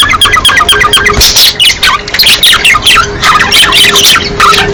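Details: Budgerigars making breeding-season sounds used to encourage pairing and egg laying. A dense, continuous warble of squeaky chirps and rasping squawks from several birds, with a faint steady hum underneath.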